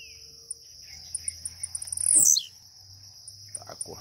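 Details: Caged Blue-black grassquit waking up, singing with a leap: one sharp buzzy note sweeping steeply downward, preceded by faint rapid high ticks, over a steady high-pitched whine and low hum.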